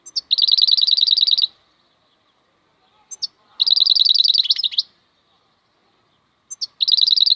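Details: Wild European goldfinch singing: fast, even runs of high tinkling notes, each burst about a second long, separated by pauses and brief introductory chips.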